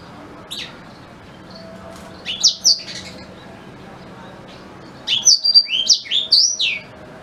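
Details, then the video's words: Black-throated canary song, original recording used to tutor white-rumped shama: two bursts of high, quick chirped and twittering notes, a short one near the start and a longer rapid run later, over quiet background hiss. "Suara Asli Blackthroat Pas Buat Guru Murai Batu"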